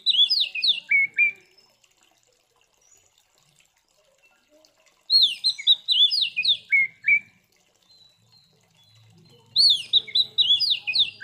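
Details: Kacer, the Oriental magpie-robin, delivering a fighting song used to rile other magpie-robins: three quick phrases of sharp, zigzag whistles ending low, spaced about four and a half seconds apart, with a faint low hum toward the end.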